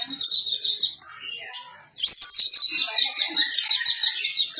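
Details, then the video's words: Greater green leafbird (cucak ijo) singing energetically, described as kacer-like in style and used as a training recording: a rapid, high warbling trill runs steadily, pauses, then returns with sharper notes and continuous twittering. "Burung Cucak Ijo Gacor Suara rapet - cucak hijau Gacor rasa kacer |Masteran CUCAK IJO Juara"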